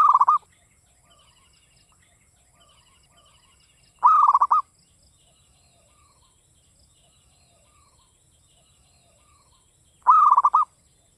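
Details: Local Javanese zebra dove singing actively in the classic Mataram style. Three cooing phrases come four to six seconds apart, each a long note and fast pulses, with faint chirps of small birds in between.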